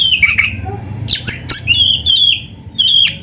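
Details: Black-breasted magpie-robin (kacer) delivering a lively song with canary-style fills: a falling whistled slur, then sharp clicks and high sliding whistles in short bursts, with faint low room noise beneath.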